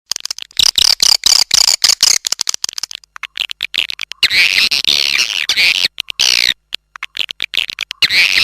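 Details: Swiftlet calling sound used to attract swiftlets: rapid bursts of high, sharp chirps in quick clusters, then a denser twittering chorus with short gaps between bursts.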